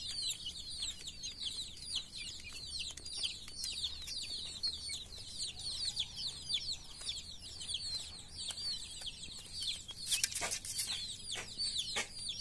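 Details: Baby chicks, dyed in many colours, calling in a crowded flock: constant high-pitched cheeping, many short rising peeps overlapping, with sharp clicks and a brief burst of scraping noise near the end.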